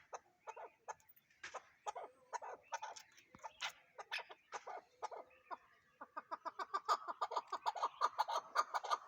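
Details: Chukar partridge calls starting as scattered clucks, then building into a fast, regular rattle of chuck notes that grows louder toward the end.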